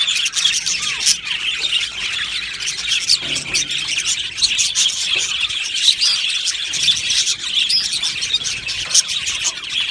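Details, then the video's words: Many budgerigars chattering in an aviary colony, a steady stream of high chirps and twitters punctuated by occasional sharper squawks and squeals rising above the chorus. "Beautiful Budgie aviary chirping sounds"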